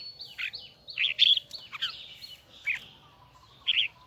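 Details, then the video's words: Huế-type red-whiskered bulbul with a high, doubled, twisting voice sings scattered bright whistled phrases with loud slurred notes near the start, separated by gaps. A faint thin whistle runs in the background. "CHÀO - MÀO - HUẾ Bung giọng nghe cực đã || Giọng cao kép xoắn nghe mãi không chán"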